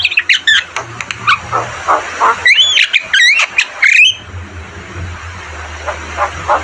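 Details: Javan myna, called jalak kebo, singing a varied training song: scratchy chatter, then a run of loud rising and falling whistles, with a low mechanical hum beneath.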